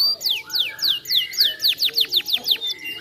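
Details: Canary singing a steady chain of clear, high, down-slurred whistles, about four per second, turning shorter and more clipped toward the end; quiet background.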